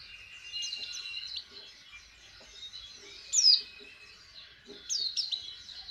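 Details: White-eye learning to open its beak to sing: sparse high, thin chirps and short sliding whistles in brief bursts near the start, middle and end, separated by quieter gaps with faint twittering.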